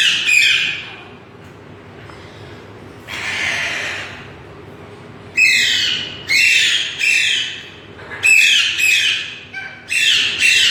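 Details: Green parrots give harsh, raspy screeches in short bursts, about one every second in the second half, after a quieter hissing stretch.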